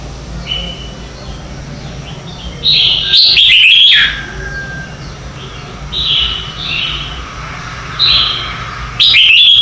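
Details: Red-whiskered bulbul competition-style morning song, used to train and trigger singing: short warbled phrases repeat every few seconds, with two loud, emphatic whistled bursts, one near the start and one at the very end.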